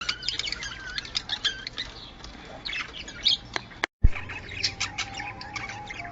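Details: Budgerigar sounds played to bring birds into breeding condition: scratchy chirps and squawks in bursts with a few short whistled notes, an abrupt cut of silence midway, then more chatter over a low hum.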